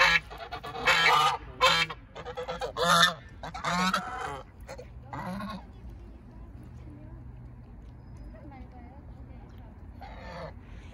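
Loud, harsh goose honks burst out in a rapid cluster, then fade to quiet background.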